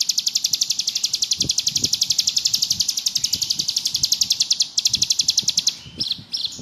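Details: Ciblek gunung, the bar-winged prinia, in ngebrem song: a long, rapid, high buzzy trill of evenly pulsed notes that breaks near the end into a few separate chirps.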